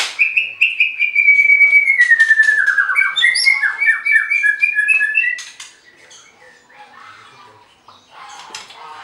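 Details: White-rumped shama at a bird farm in Anyer, Banten, Indonesia, singing to provoke rivals: a long rapid series of whistled notes that slowly falls in pitch, then rises again, before fading into quiet clicks.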